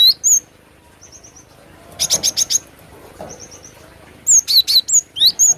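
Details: Glatik batu (cinereous tit) singing: short high whistled notes and quick buzzy trills, with a louder run of sharp slurred chirps near the end and quiet gaps between phrases.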